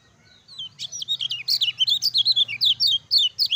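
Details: Energetic 'ciak ciak jos' song of a Lemon-bellied white-eye, meant to stimulate lazy birds into singing: a dense stream of high, sharply slurred chirps delivered about four per second without pause.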